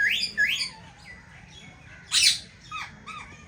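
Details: Indian ringneck parakeets, a caged pair that has found a nest in an aviary, giving scattered harsh squawks and rising screeches, one loud rasping burst midway, with quiet pauses between.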